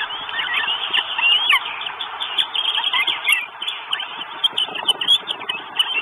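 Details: Northern goshawk chicks at a nest in Estonia, on a live nest camera, 2 June 2022: dense, overlapping squealing and chattering calls, many short rising and falling notes crowding together, with brief quieter gaps between bursts.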